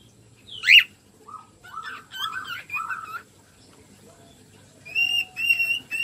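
Cockatiels sing with a sharp chirp, then rising warbled whistles and a run of steady whistled notes.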